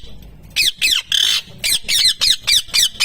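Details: Parrot repeating "mithu mithu": a quick string of about eight raspy, squawk-like syllables, one slightly longer and buzzier near the start, the rest evenly spaced at roughly four per second.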